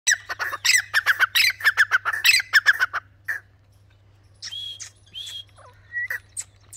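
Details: Dakhni teetar (francolin) of hill lineage giving a fast run of harsh, squawking notes for about three seconds, then a few quieter, thinner whistled notes over a low steady hum, with chukars also calling nearby.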